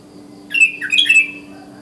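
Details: Lively morning call of a wild sooty-headed bulbul aimed at other bulbuls: a fast, chattering, gurgling phrase of mixed liquid notes lasting under a second, over a steady low hum.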